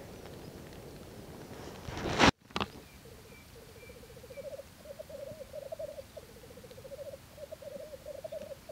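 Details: Black grouse at a courtship display in 2014: after a sharp knock, a low bubbling, cooing rookoo starts and runs on in rolling, slightly rising phrases, each lasting about a second, with faint higher notes above.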